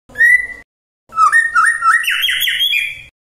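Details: Magpie-robin singing to provoke other magpie-robins, opening with a single clear whistle, then after a pause a rising series of rolling notes stepping higher.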